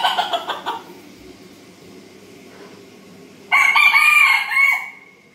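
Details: Rooster, said to pass out after crowing. A burst of harsh clucking and squawks comes first, then a pause. A loud, strained crow follows, rising briefly and then held for about a second before fading.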